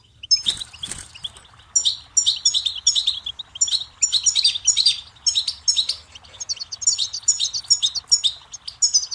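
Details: Continuous goldfinch song, recorded as a teaching tape for chicks and songbirds: rapid, jingling twittering phrases run almost without pause, high and liquid, with a few sharper chirps mixed in and soft background hiss.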